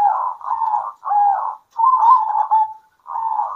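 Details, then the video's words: A local zebra dove singing in the daytime gives soft, rolling, purring coos in half-second bursts with short gaps. A longer phrase trails off lower, and no other sounds intrude. "PERKUTUT LOKAL GACOR"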